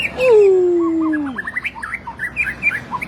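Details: White-rumped shama training recording: a long loud whistle gliding slowly downward, followed by a quick string of short rising notes and chirps.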